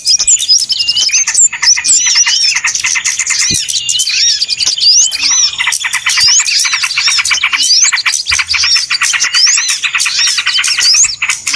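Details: Many small birds calling together on a bird-trapping lure, high excited chirping and twittering with frequent rising whistles, continuous and loud, a few faint clicks underneath.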